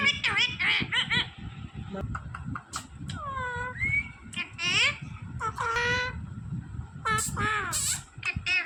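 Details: Green parrot talking like a human, speaking phrases such as Jai Shri Ram and Sita Ram: bursts of harsh, buzzy syllables and drawn-out, sliding tones, with room noise and voices in the background.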